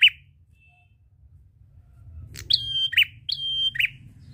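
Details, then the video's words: Prinia singing ngalun to draw other birds into song. One buzzy note, a quiet stretch, then two phrases of sustained high whistle followed by a rough lower note over a low rumble. "Prenjak gacor ngalun ampuh pancing bunyi burung ngetem"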